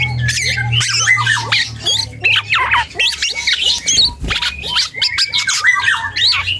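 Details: Young dark-throated oriole rehearsing song: steady chatter of short hooked whistles and squeaky chips repeated several times a second, with a low rumble in the background.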